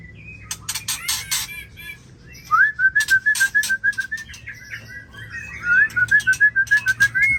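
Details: White-rumped shama singing: rising whistled notes followed by a run of clear, evenly repeated whistles, given twice, with scattered chirps and short calls from other birds around it.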